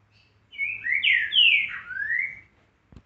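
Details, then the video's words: Green-winged saltator singing the style locally called trinca-ferro boiadeiro: one loud, rich whistled phrase of about five slurred notes, rising then sweeping down, lasting roughly two seconds, followed by a brief click near the end. "Você gosta de trinca boi com esse canto?"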